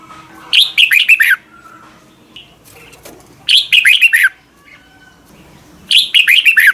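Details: Morning singing by a red-whiskered bulbul, used as a training recording: three similar bursts of quick, bubbling warbled notes about two and a half seconds apart, over soft background chirps.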